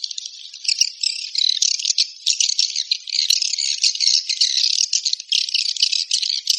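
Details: Swiftlet calling sound, known locally as suara walet panggil: dense, buzzy, rattling twitter in a high register, pouring out almost without break in rapid chattering bursts of uneven loudness.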